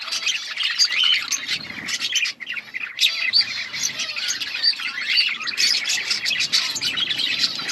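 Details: Outdoor budgerigar colony giving constant high chirps and warbling chatter, many birds calling over one another, with a short dip in the noise near the middle.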